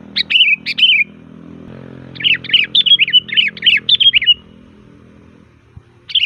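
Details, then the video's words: Sooty-headed bulbul singing loudly with varied phrases, used as a lure: a few chirps, then a long rapid run of chattering notes, over a low background hum. "Suara Burung Kutilang Gacor FULL VARIASI"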